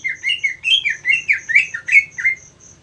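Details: Cucak ijo, or greater green leafbird, trained for singing contests, delivers a flowing series of bent, warbled notes rising and falling, with a faint regular insect-like pulse underneath.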